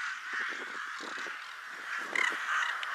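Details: Before dusk in winter, rooks assemble at Ottakring cemetery, Vienna; dense grating caws from many birds blend with short, sharper nearby calls and faint wingbeat-like clicks.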